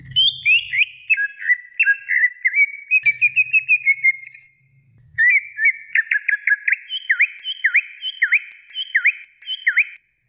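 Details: Greater green leafbird female calling a male with fast chattering whistles, then a run of clipped notes and evenly spaced V-shaped whistles about every half second.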